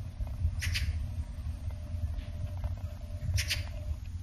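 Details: Oriental magpie, called "kachigarasu" in Saga Prefecture, Japan, for its "kachi-kachi" call, gives two short, harsh, rasping chatters about three seconds apart over a steady low rumble of wind or distant traffic.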